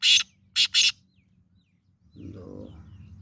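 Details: Male black francolin giving its breeding call: one harsh, rasping burst followed after a short gap by a quick pair of similar grating notes, then quiet with low rumbling background noise.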